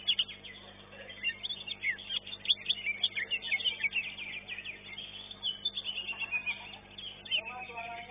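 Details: Greater green leafbird competing caged in a song contest and placed second in its class; busy stream of chirps, twitters and whistled slurs, with brief voices near the end.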